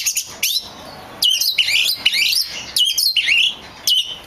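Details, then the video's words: Oriental magpie-robin lure song for stirring other magpie-robins: four or five loud phrases, each a sharp high note dropping into a buzzy, rolling warble, separated by brief quiet gaps. "SUARA P4NCINGAN KACER BAHAN / GACOR DIJAMIN LANGSUNG NYAUTT!!"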